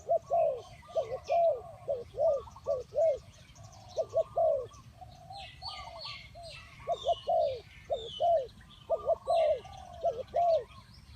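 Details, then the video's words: Tekukur or spotted dove cooing as a decoy for trapping: repeated bursts of short, rising-falling hoots in twos and threes, overlapped by fainter doves and busy high songbird chatter. "The Tekukur Pikat Cocok,The Sound of Spotted dove"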